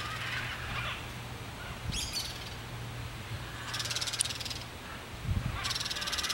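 A crested caracara gives harsh, grating rattles in bursts of under a second, three times over, against a steady low hum and background noise.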